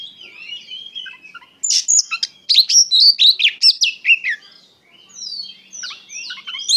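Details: Oriental magpie-robin (kacer) in gacor song full of emotion: soft warbling, then a burst of loud rapid notes, followed by long descending whistled slurs.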